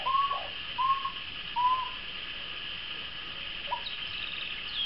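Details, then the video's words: Courting pair of Pteroptochos megapodius, the moustached turca: three strong whistled slurs about three-quarters of a second apart, each with a faint lower echo, then quiet apart from one brief upward note, over steady hiss. "PAREJA DE TURCAS (Pteroptochos megapodius) EN CORTEJO"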